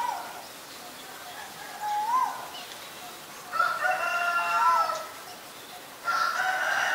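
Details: Asian koel calls: two soft upward-sliding whistled notes about two and a half seconds apart, mixed with bursts of chattering from other birds.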